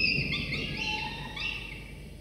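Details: Two drowsy falcon nestlings about 24 to 25 days old beg at the nest while the father delivers prey for breakfast; wavering, whiny harmonic cries overlapping each other above steady low background noise from the nest camera.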